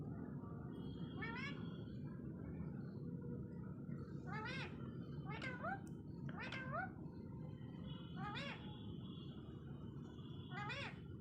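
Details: Parrot talking in a string of short wavering, bending utterances spaced roughly every one to two seconds, over a steady low hum.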